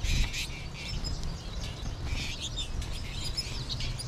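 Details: American goldfinch flock near the end of its stay in March; bursts of high, chattering chirps from several birds at once, over constant low rumble.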